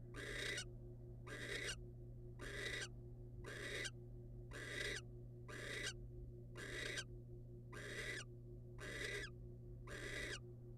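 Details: Wild barn owl calling as a male brings a rodent to the female: harsh, broadband hissing screeches about half a second long, repeated roughly once a second, ten in a row, over a steady low electrical hum.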